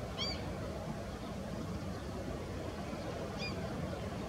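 A pied avocet gives two brief, clear fluty notes about three seconds apart, over a steady low rumble of wind or distant traffic.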